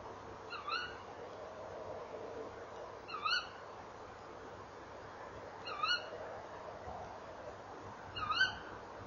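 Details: Tawny owl calls at a nest box, evening of 28 November 2013, with the female at the box and the male flying in: four shrill, upward-sliding calls repeated about every two and a half seconds.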